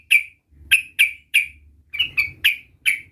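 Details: Sooty-headed bulbul, a young bird learning to roll its song, repeats short sharp downward-slurred notes about every third to half second, with faint low rumbling behind.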